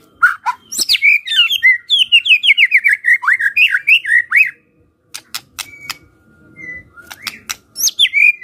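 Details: Kretekan fighter call of a white-rumped shama, used to make quiet shamas respond. High sharp notes open into a rapid chain of slurred, falling notes lasting several seconds. After a pause come dry clicks, then renewed high notes.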